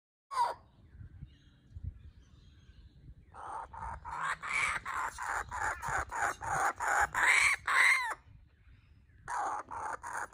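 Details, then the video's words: A young laughing kookaburra gives a rough, harsh laugh: about a dozen raspy notes building in loudness over four seconds, then a short burst again. "Baby Kookaburra Laughing"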